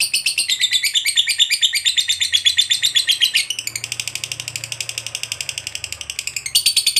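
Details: Lovebird ngekek panjang, a long trill played to stimulate other lovebirds to sing: continuous fast, high, buzzy chattering notes throughout, the pattern changing twice, with a soft low hum beneath.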